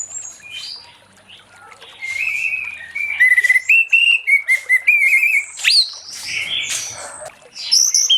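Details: Orange-headed thrush singing ngeplong in late afternoon to draw other thrushes into song: a string of clear whistled notes repeated in quick succession, then louder sharp chips and high slurred whistles.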